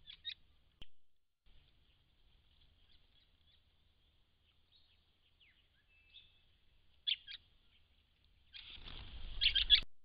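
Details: White-browed Woodswallows, part of a large group of immatures, females and males at a pond in December 2016, give thin, high chirps, scattered at first, then a louder cluster near the end over a burst of rushing wind noise.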